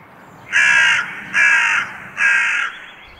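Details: Hooded crow in spring giving three harsh, grating caws, each about half a second long and spaced under a second apart, over quiet background; none of its vocalizations resemble true song.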